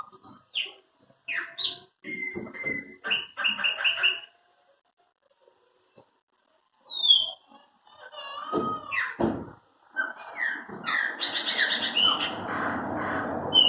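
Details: Chopi blackbirds belonging to the keeper: clipped whistled notes and chattering bursts, a pause of a few seconds, then a loud slurred whistle, harsher phrases and a dense, noisy closing stretch.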